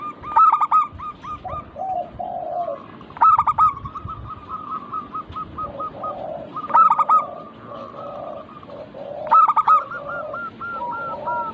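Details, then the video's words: Local zebra dove song in a lure recording. Sharp stuttered openings recur about every three seconds, followed by strings of quick coo notes, while a second, lower voice adds softer cooing notes beneath. "Burung perkutut lokal Pancingan agar cepat bunyi cepat manggung"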